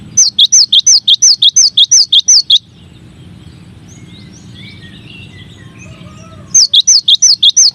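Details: Cinereous tit, also called gelatik batu or gelatik wingko, singing a masteran song: a fast series of bright, sharply descending whistled notes, about eight in a row, then a pause and the series again.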